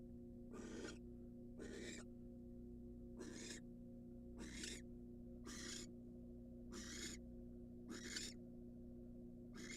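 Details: Incubating wild barn owl inside a research nest box after eating a mouse, giving a long series of rasping hissed screeches roughly every second and a quarter, eight bursts, with a constant low electrical hum beneath.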